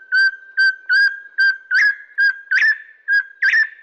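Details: Crimson-headed Partridge, a bird of Bornean montane forest at roughly 1,000–1,700 m, gives its loud, ringing, metallic series of short whistled notes, about nine in four seconds, some with a harsher ring-ying quality.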